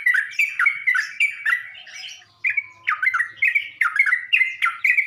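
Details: Sooty-headed bulbul song used as a lure to provoke other bulbuls: short, loud, bubbling whistled phrases that rise and fall, repeated rapidly with a brief pause near the middle.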